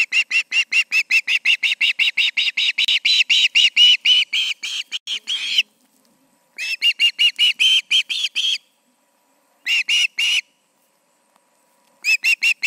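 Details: Osprey at a nest in Charlo on the evening of August 20, 2019, around 7 pm, with two birds present: rapid series of sharp, high whistled chirps repeated about two to three per second, pausing and resuming in bursts.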